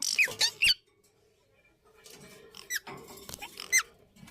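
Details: Breeding Indian ringneck parakeets: a quick trio of piercing squeaks, a short pause, then more scratchy chatter and a final shrill note.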